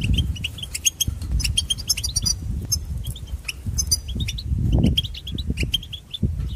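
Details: European goldfinch singing a varied song said to imitate other birds: rapid high twittering notes and short metallic chirps in quick bursts, with steady low rumbling and thumping noise underneath.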